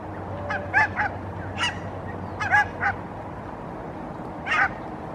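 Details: Barnacle geese swimming and interacting near the shoreline in Helsinki, Finland, in October 2022 give short, sharp yapping barks in loose bursts of two or three, with a low background hum.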